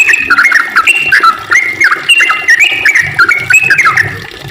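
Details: Rapid, sustained song of a sooty-headed bulbul, known locally as ropel: clear fluty whistles that jump up and then slur sharply down, repeated in quick succession.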